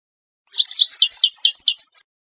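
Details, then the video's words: Ouidani-type Moroccan goldfinch song used to train fledglings: one phrase of about a dozen evenly spaced, sweet twittering notes, each with a higher ringing overtone. "مقطع لتغريد الحسون الويداني المغربي لتلقين الفراخ"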